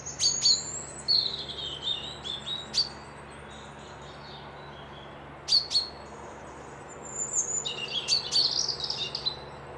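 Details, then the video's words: Birds calling at lodges beside a loch in Dundee, in a quiet setting: clusters of very high, quick chirps and thin whistles, a pause, then a livelier twittering sequence near the end, over a constant low hum. "Birds whistling"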